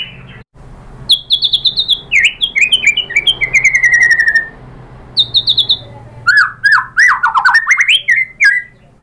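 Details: White-rumped shama singing as a lure to make other birds answer: loud varied phrases of high whistles, buzzy trills and falling slurred notes, a short pause, then swooping rising and dipping notes over a faint background hum.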